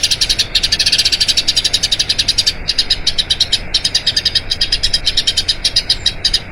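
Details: Rolling song of a Eurasian tree sparrow, recorded for training other birds: bright, high chirps pour out rapidly, slightly loosening in the second half, with short breaks between bursts.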